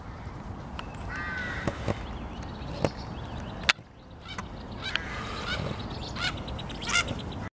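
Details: Common starlings on grass, recorded 10 April 2021: faint scattered whistles, short rising and falling notes and sharp clicks over a steady low background rumble, with one loud knock near the middle.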